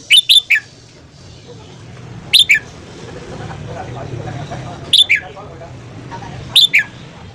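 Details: Morning song from a red-whiskered bulbul for voice training, with quick bright whistled phrases of two or three notes. Each note slides downward, and the phrases come every two to three seconds over a low steady background hum.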